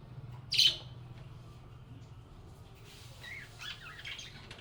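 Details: Budgerigars kept as pets, singing and chatting cheerfully. One loud, piercing squeak opens the passage, then quieter scratchy twitters and warbling chirps build toward the end over a faint low hum.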